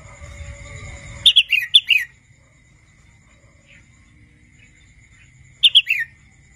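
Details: Young wild red-whiskered bulbul learning to sing repeats the same phrase twice, about four seconds apart. Each is a burst of quick whistled chirps ending in a falling slur, and low rumbling noise comes before the first.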